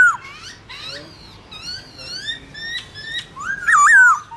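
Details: Black-throated laughingthrush in a morning 'forest voice' duel song meant for daily training: softer scattered whistles and clicks, building to a loud, twisting, warbled whistle near the close.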